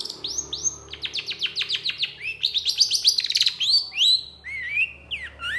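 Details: Long-tailed shrike in energetic emotional song with long bursts: a rapid rattling series of sharp descending chirps, roughly three to four per second, followed by slurred whistles and falling notes.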